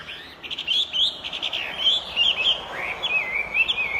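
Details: Chinese hwamei singing a fast, continuous string of rich whistled phrases, looping up and down with quick slurred notes throughout.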